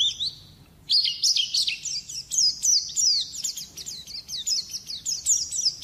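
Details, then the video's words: Pleci song meant for songbird training: a soft opening note, a pause, then an energetic run of high, sharply falling whistles repeated about three per second, bright and chattering. "Masteran burung pleci"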